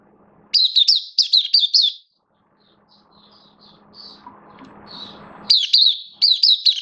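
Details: Oriental white-eye kept in the bird hobby, 11 September 2022, form slightly down: rapid runs of high, falling slurred chirps, then a pause with a faint low hum and soft distant notes, then the quick chirping series resumes.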